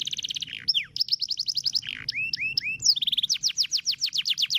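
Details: Master canary long roll song for teaching other songbirds; opens with a rapid pulsing trill, slides into slurred swooping whistles, then a fast run of bright repeated notes about six per second.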